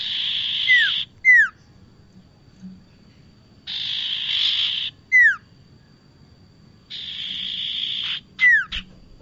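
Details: Prinia lure sound for trapping, the bar-winged prinia giving three cycles of a long harsh buzz immediately followed by a pair of falling whistles, repeated about every three and a half seconds.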